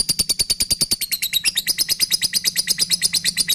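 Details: Lovebird ngekek chatter used as a lure and master sound to train other birds: a fast, dry, rattling series of high, harsh chirps, about three per second, running without pause.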